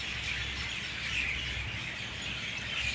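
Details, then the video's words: Dawn chorus of many mynas at 6:20 a.m.: overlapping chirps and squeaky calls form a continuous bright chatter, a few sharper whistled notes standing out, over a soft low background rumble. "Dawn chorus of Mynah birds"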